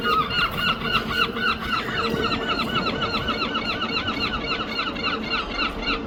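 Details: London seagulls repeating quick, rhythmic, nasal yelping notes almost four times per second for the whole stretch, with a constant low rumble behind.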